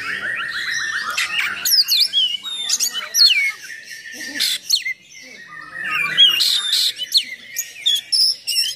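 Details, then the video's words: Full 'nembak' oriental magpie-robin song with coarse 'isian kasar' fill-ins, for provoking and training other magpie-robins; opens with a fast repeated trill, then sweeping whistles and harsh chattering bursts, with a quieter gap midway. "Kacer Gacor Full Nembak Isian Kasar Bikin Emosi Kacer mu"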